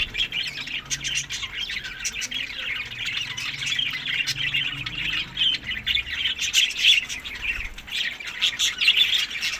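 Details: Budgerigar flock eating summer food, May to June, Larkana, Sindh: continuous busy chirping and rasping chatter from many birds, with sharp clicks scattered throughout.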